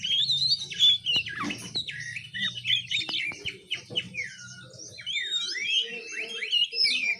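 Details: Oriental magpie-robin chick in the learning stage of song, known as ngiriwik. It produces a fast, chattering medley of slurred whistles, sharp chips and scratchy notes. Faint low hum and a few clicks sit in the background.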